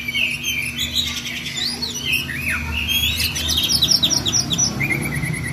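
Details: White-rumped shama singing a rolling tutor song for training songbirds. Varied rising and falling whistles and quick chattering phrases run continuously over a low hum and background noise.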